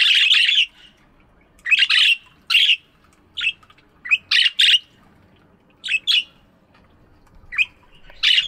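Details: Budgies chirping in an aviary in the morning: loud, harsh, high chirps and squawks in clusters, some doubled, separated by short quiet gaps, with little background noise.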